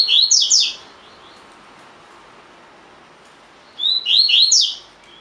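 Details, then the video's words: Double-collared seedeater, a cage bird, singing the tui tui fibra type used as training audio. Two phrases of three or four shrill, sweeping whistled notes are separated by about three seconds of near silence. "COLEIRO DE GOLA TUI TUI FIBRA (8 Horas Encarte)"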